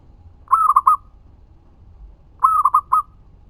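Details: Local zebra dove singing to prompt other doves to answer: two phrases about two seconds apart, each a long coo then a run of three or four quick bubbling notes.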